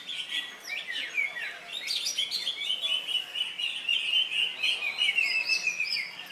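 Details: At a songbird contest in Indonesia on Saturday 3 September, a greater green leafbird just out of moult pours out dense, rapid warbling: high whistles, quick trills and slurred notes in a continuous stream, other singers audible alongside.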